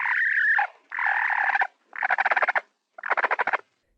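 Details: Domestic hen giving the laying trill, the call made before laying an egg: four harsh nasal bursts, the first two drawn-out and steady, the last two broken into rapid pulsing cackles, separated by short pauses.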